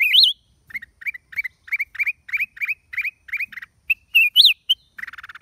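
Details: A wild Black-crested bulbul recorded at Chaiya on 29 December 2023 gives a quick run of about a dozen bright, slurred chirps, opening and closing with a longer rising-falling whistle and ending in a brief buzzy chatter.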